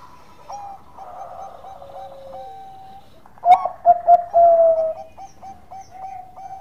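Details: Zebra dove of the Bangkok type singing a relaxed, sweet lure song: soft distant coos at first, then a loud burst of three short coos and a sustained coo, followed by a quieter repeating series.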